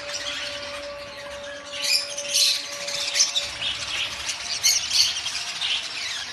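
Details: Budgerigars in a large shipment chatter with harsh, squeaky, warbling calls that overlap continuously.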